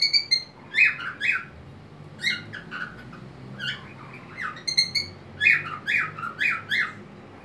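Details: White-faced pet cockatiel singing merrily on a homemade swing in a small crate, wings open, head tilting and body bobbing; bright whistled and squawky notes repeat in quick bursts, some falling in pitch, with short pauses in a small indoor room.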